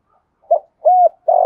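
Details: Spotted dove, a kept songbird in a deep 'giọng thổ' voice, giving the start of a thúc gù phrase: a short soft note, a rounded sustained coo, then a buzzy rolling coo beginning. Quiet background.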